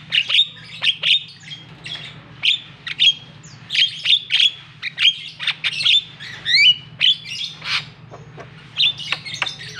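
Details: Javan pied starling sounds used to goad a silent bird into song, a busy stream of chirps, sharp whistles and raspy notes, some rising or wavering, repeated in quick bursts over a constant low hum.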